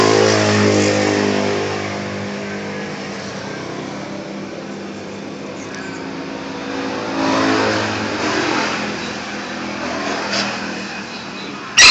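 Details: Engine noise from a passing car or motorcycle, with no animal voice heard.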